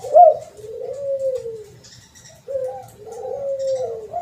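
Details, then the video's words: Spotted dove call played as a lure: two long, low, mellow coos. Each starts with a brief accented note and then glides smoothly downward, with a short pause between them. "Pancingan Suara Burung TERKUKUR Ampuh"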